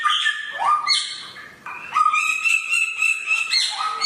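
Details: Samyong bird with a sharp voice giving rising whistles, a short pause, then a sustained run of clear, evenly repeated high notes with sharp upward flicks.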